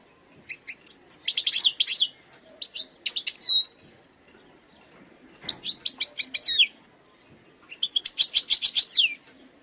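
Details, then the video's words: European goldfinch, a wild khalwi bird, delivering several short phrases of bright, liquid twittering notes with quick upward and downward slurs, spaced by brief silences. "chant chardonneret sauvage khalwi حسون goldfinch jilguero تغريد مقنين خلوي"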